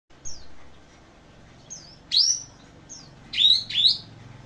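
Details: Kapas tembak bird singing: loud, sharp rising whistled sweeps and short falling notes, spaced irregularly with quiet gaps, against a low background hum.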